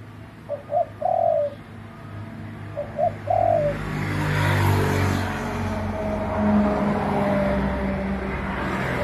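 Spotted dove giving two soft, low cooing phrases, each two short notes and a longer drawn-out coo; then steady rushing noise, likely wind.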